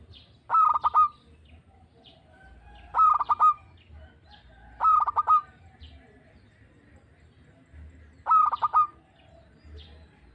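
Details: Local zebra dove heard in a calling audition, repeating a soft, rolling cooing phrase four times, roughly every two and a half seconds, with quiet gaps between.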